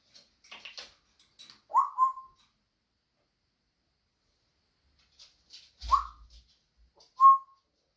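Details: Pet African grey parrot indoors giving short whistled notes, a rising whistle near two seconds then two more around six and seven seconds, with faint clicks and soft chatter between.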